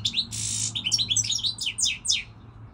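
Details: European goldfinch song this season: opening chirps, a sustained harsh buzzy rasp, then a tumbling run of bright, rapid twittering notes.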